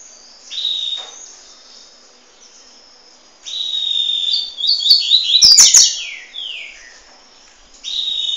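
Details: A young double-collared seedeater at Peruíbe gives thin, high, drawn-out buzzy calls in bursts, with a quick flurry of sharp notes midway and a few handling clicks.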